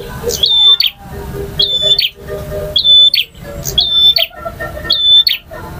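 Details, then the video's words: Bar-winged prinia male, varied kristal, ngalun and ngotot song: piercing, level whistled notes framed by sharp ticks, repeated steadily about once a second, with faint lower chirps underneath. "KICAU PRENJAK JANTAN FULL VARIASI DURASI PANJANG || NGOTOT,NGALUN,VARIASI,KRISTAL"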